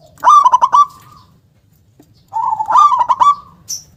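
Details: Local zebra dove (perkutut), a strong singer with a big, forceful 'kung' voice. Two song phrases of rapid, bubbling staccato coos, each running into a drawn-out softer coo. A short high chirp comes at the end.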